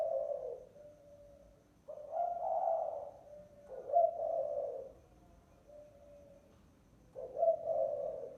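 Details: Repeated spotted dove lure call, three clear low cooing phrases about every two and a half seconds, each a husky swell trailing into a softer tone, very quiet between.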